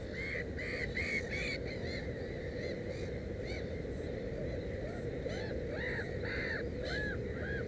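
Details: Harsh, downward-arching cries from a Black-headed gull at a nest holding three chicks. A quick burst of calls opens, a pause follows, then several louder separate calls, all over a constant low hiss and rumble.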